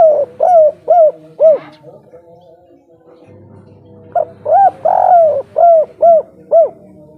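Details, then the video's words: Spotted dove giving a lively kuk 3 style coo in its natural local voice, used as a lure: clipped, arched hooting notes in a rapid run, a pause, then a second run with one longer drawn note in the middle. "derkuku tekukur kuk 3 gacor ampuh untuk pancingan"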